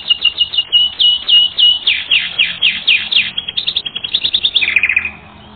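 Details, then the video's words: Song of a canary from a training record, rapid bursts of sweeping chirps in quick series, changing tempo, ending with a lower descending trill. "Canary Training Record N°10"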